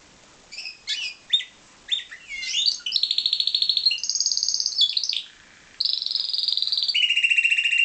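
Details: Captive-bred pied Timbrado canary singing loud, bright rolling tours: quick chirps, then sustained trilled rolls that hold level and shift between pitches with short pauses, over a quiet room background.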